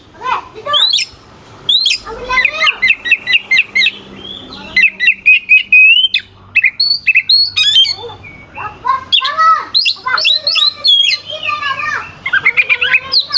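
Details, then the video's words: Lively oriental magpie-robin song used to goad rival kacer into singing harder at contests. Rapid whistles slide up and down between rasping, chattering runs, with one sustained twittering passage in the middle. "Suara kacer gacor NGEPLAY KONSLET pancingan kacer ampuh bikin lawan ikut EMOSI"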